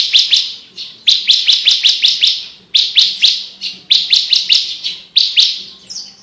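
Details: Javan bush lark (branjangan) in full, lively song, described as clear and crystal-voiced and used as tutor material for competition birds: bursts of sharp, high, ringing chirps in quick runs of four to six, separated by brief pauses, against a quiet background.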